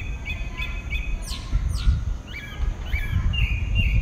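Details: Pale-breasted thrush, a single bird in southeastern Brazil, at dawn: a few short whistles, then sharp downward-sweeping notes and looping whistled phrases, over a continuous low rumble.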